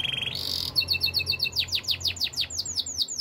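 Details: Canary song moving from a quick buzzy trill into a chain of repeated high whistled notes and then a rhythmic run of descending sweeps, about five per second.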